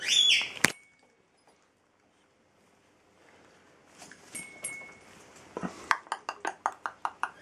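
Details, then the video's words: A chestnut-fronted macaw gives a single harsh, raspy squawk, then a thin whistle and a quick run of sharp clicking chinks. "Ara severa Chestnut-fronted macaw"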